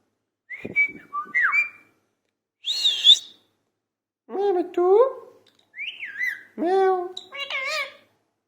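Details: Parrot vocalising in talking style, alternating clear whistles, a harsh buzzy squawk and several voice-like harmonic syllables that rise and fall, with short gaps between phrases.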